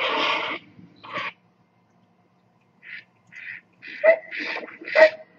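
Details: Great Blue Heron giving rough, raspy squawks, with a long harsh croak at the start and then a series of shorter grating bursts, some with a nasal honking edge.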